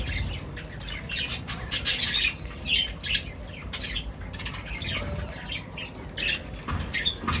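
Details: Birds at feeding time in close view, with scattered scratchy squawks and chirps, one loud burst early on, over a low background rumble.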